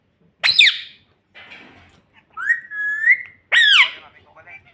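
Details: Talking pet parrot indoors that says "mummy": a sharp squawk, then soft rustling, then a long drawn whistle that rises at the end, and another harsh bending squawk.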